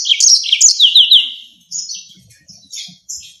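Yellow-fronted canary singing a fast, high run of sweet trills and down-slurred whistles, then shorter bright phrases after a brief pause.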